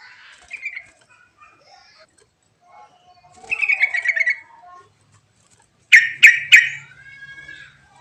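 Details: Sooty-headed bulbul song played to coax lazy birds into singing: scattered soft notes, then a quick bubbling chattering phrase, followed by three sharp loud strokes and a descending trailing note, with a faint low hum.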